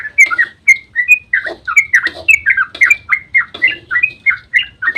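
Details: Yellow-vented bulbul singing its dawn 'ropel' as bait to draw replies from other bulbuls: clear bright slurred whistles, some rising, some falling, in a steady run of about three notes a second.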